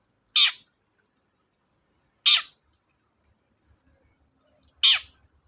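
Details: Long-tailed shrike giving loud grating calls, meant to provoke reluctant shrikes to sing: three short harsh squawks spaced about two to two and a half seconds apart, with faint low thumps.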